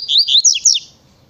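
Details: Double-collared seedeater song in the natureza and tui tui styles. A brief, loud phrase of high, quick, slurred whistled notes, with several rising and falling chirps run together in about a second, against a quiet background.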